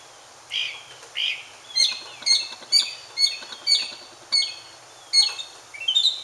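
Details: Mockingbird singing to attract a mate, giving two buzzy opening notes followed by a series of sharp, high, down-slurred notes repeated roughly twice a second, the phrases changing slightly as they go.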